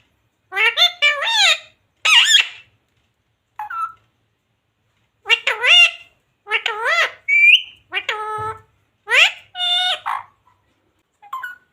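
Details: Pet talking parrot mimicking human words such as mummy and religious phrases; loud, bursts of warbling, speech-like syllables with sliding pitch, in groups of two or three, separated by short silences, quiet room.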